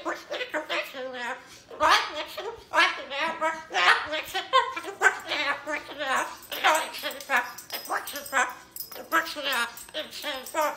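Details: Umbrella cockatoo, a pet that often talks about the airport, talks in a run of harsh, speech-like phrases with rising and falling pitch while its owner urges it to sing, in a small room.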